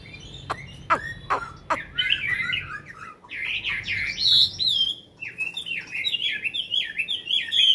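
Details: Chinese hwamei kept in a cage for over five years, singing after eating its fill; a few sharp clicks open, then loud, fluid whistled phrases with quick up-and-down slurs, continuing strongly to the end.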